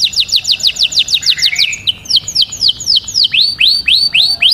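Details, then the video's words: Canary singing to stimulate breeding: quick repeated downslurred whistles that slow into broader, upswept looping notes, all high and bright. "Os tweets canários mais poderosos para não perder"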